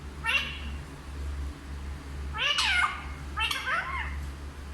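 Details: Talking parrot said to speak Hindi gives three short, squawky, harmonic-rich utterances with bending, falling sweeps, spaced roughly a second apart, over a constant low hum in the background.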